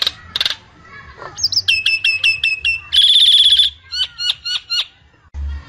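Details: Common myna (jalak nias) delivering a varied full song: harsh opening notes, a rapid series of clipped whistles, a sustained shrill buzzing trill, then several sharp downward-sweeping whistles.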